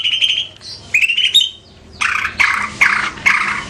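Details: Caged greater green leafbird, a Banyuwangi bird, singing: whistled phrases near mid-high pitch, then a run of loud harsh buzzy notes repeated about every half second.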